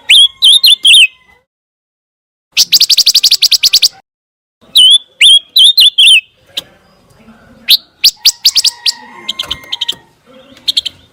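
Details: Scarlet minivet song, a clear recording meant for shamas to copy: clusters of looping whistled notes alternate with a dense burst of rapid chips, then scattered thin high notes trail off.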